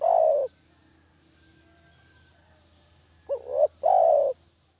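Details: Spotted dove, locally called derkuku or tekukur, kampung type, used as a lure sound for catching doves; a low hoarse coo opens, then after a long pause a short rising note and a second drawn-out coo follow.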